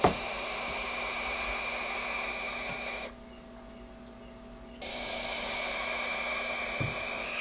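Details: Baby barn owls, the first of 2012, one with a broken leg after its nest box fell from a tree, give a harsh, breathy hiss for three seconds, a brief break, then equally loud hissing.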